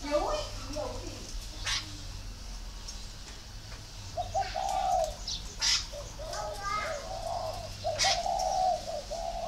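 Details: Spotted dove from a dove-keeping garden in Ba Vi, northern Vietnam, giving low hollow coos in short runs, mixed with sharp high chirps from other small birds and faint background hum.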